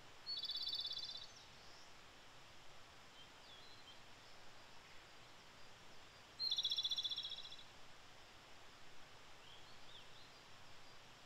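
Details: Japanese robin (Erithacus akahige) in Japan in early May, giving two loud, high, rattling trilled song phrases about six seconds apart, over a steady rushing background hiss.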